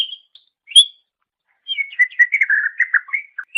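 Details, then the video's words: Greater green leafbird (cucak ijo) song used as a master recording for training songbirds: short high whistled notes, then a quick run of varied chirping, warbling phrases, clean with no other sounds. "Ocehan Suara Burung Cucak Ijo"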